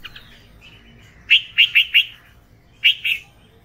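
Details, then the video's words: Red-vented bulbul giving a quick series of four sharp, slightly descending chirps, then two more after a short pause; clear and close against a quiet background. "Red Vented Bulbul Sound"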